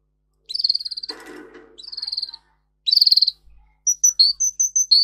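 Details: Russian singer canary, a breed kept for singing, with song used to train canaries. Fast high rolling trills come in short bursts separated by pauses, with a brief rustling noise, then clipped piping notes.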